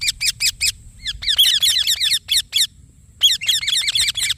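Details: Indian ringneck parakeet in an excited, almost continuous stream of rapid, squeaky chirps, notes crowding together with one short break.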